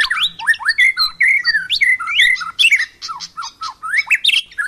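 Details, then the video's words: Wild white-rumped shama delivering a dense run of rich whistles, rising and falling slurs and rasping, buzzy phrases, almost without pause. "MURAI BATU.Super Gacor.istimewa di Alam liar"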